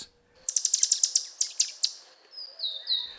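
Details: A Verdin in a spring Arizona desert backyard, often calling from low shrubs and mesquite while foraging, gives a quick run of about a dozen sharp, high chipping notes, then a few thin, drawn-out whistled notes.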